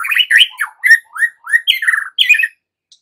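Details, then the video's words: White-rumped shama song used as a lure track to get young wild-caught birds singing steadily; a quick run of clear whistled and chattering phrases, rising and falling slurs packed closely together, ending abruptly after two and a half seconds. "Pancingan Murai Batu MUDA HUTAN dan PASTOL agar GACOR NGEPLONG"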